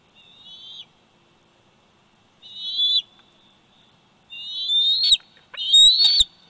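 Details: Bald eagle eaglet at 104 days old, at the nest in Big Bear Valley on 27 July 2019, nest camera recording: four thin, high squealing whistles at uneven intervals, growing louder, the last two with clicking, rough noise.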